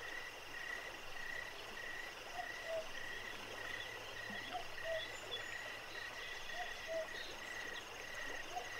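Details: Southern boobook (mopoke) at night by Jacobs Creek gives soft, low two-note hoots every couple of seconds over a steady, shrill cricket trill and the constant wash of the running creek.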